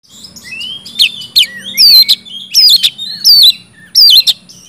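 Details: Oriental magpie-robin singing in the gacor ngeplong style, used to prompt silent magpie-robins into song: loud, clear whistled phrases with rising and falling slurs, given in short bursts about once a second, with a faint low hum underneath.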